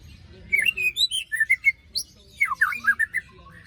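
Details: White-rumped shama singing after its moult, a lure for shamas that have stopped singing: quick varied whistled phrases, short slurred notes and rapid twisting runs, over a low background hum.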